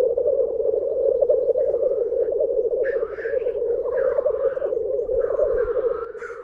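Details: Black grouse (Lyrurus tetrix) at a lek of about twenty birds at World's End, Minera, North Wales, around 5 am while still dark: a steady, low, dove-like bubbling rolls on without pause, broken every second or so by harsh, hissing sneezes.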